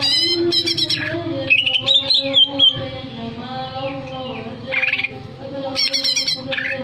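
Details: Greater green leafbird song, meant to stir breeding arousal: bright whistled notes sliding between high pitches, with buzzy harmonic chirps at the start and end over a steady low droning hum.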